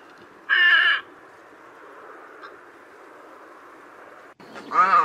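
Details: One loud grating croak from a white egret, a long quiet gap with faint hiss, then a second harsh, wavering squawk at the end.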